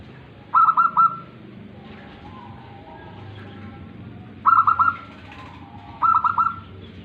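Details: Tame local zebra dove (perkutut) singing on its perch: three short bursts of rapid, rolling cooing notes, each about half a second, spaced unevenly over seven seconds against a quiet, low background hum.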